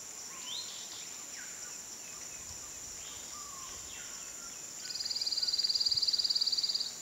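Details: Tooth-billed wren delivering a rapid high-pitched trill near the end, swelling then fading over about two seconds, after several faint, scattered slurred calls from other birds against a steady hiss.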